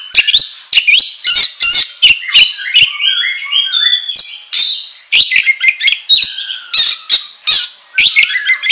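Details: Varied, vigorous oriental magpie-robin song for lure training, mixing rasping bursts, clicks and clear descending whistled notes in quick succession throughout.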